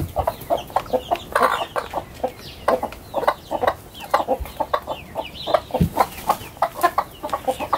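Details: Chickens released from their coop into a garden in the morning, rushing out together. A rhythmic run of short clucks, roughly two or three a second, from several birds at once.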